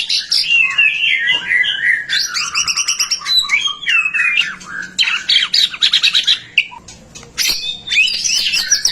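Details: White-rumped shama in full, prolific song, played to stimulate other shamas to sing: rich, varied phrases of whistles, rapid trills and buzzy rattles, mostly high-pitched, tumbling on almost without pause.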